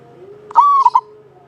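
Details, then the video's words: Local Java zebra dove, a keen singer with a long, bright voice used as a lure for other doves. One short ringing phrase: a sustained slightly rising coo, then two quick clipped notes. "Perkutut lokal jawa gacor buat pancingan suara panjang bening"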